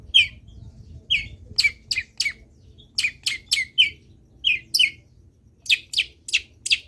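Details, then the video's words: Energetic long-tailed shrike song meant to make other shrikes call along: a quick series of sharp, high chirps and scratchy notes, in loose clusters of two or three, over a quiet low hum. "CENDET GACOR BIKIN BURUNG CENDET LAIN IKUT BUNYI - MASTERAN CENDET GACOR FULL ISIAN"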